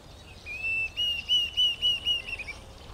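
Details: Call of a Diederik cuckoo at Bahir Dar, Ethiopia, 17 October 2022: a quick, even series of seven or eight piercing whistled notes, falling slightly at the close, against a quiet background.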